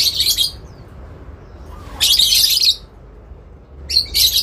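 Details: Lovebird answering back and forth with another in long ngekek calling aimed at a rival: three rasping, buzzy bursts, the middle one longest, with quiet gaps between.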